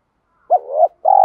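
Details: Spotted dove calling wild doves in, mixed-voice style. A dipping two-part note, then the start of a buzzy pulsed coo that is cut off abruptly.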